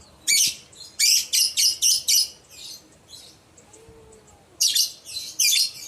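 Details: Lovebird calling to lure other lovebirds into answering: a rapid, shrill, chattering series of harsh screeches about five in a row, a quiet pause with a soft whistle, then three more raspy shrieks.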